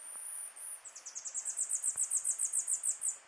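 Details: Tanager Finch in the western Andes Chocó mountains at Montezuma, Colombia, in May: a very high, thin drawn-out note, then a rapid series of sharp, slightly falling notes about five a second, over faint hiss.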